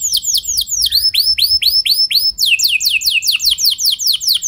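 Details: Canary lure song meant to draw long rolling song from other canaries: repeated high whistles sweeping downward in an unbroken rhythm, growing faster and denser in the second half.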